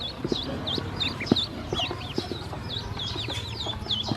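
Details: Hungry domestic ducklings being given feed and drinking water by a woman, a dense chorus of high looping peeps overlapping continuously, with pecking and tapping clicks beneath.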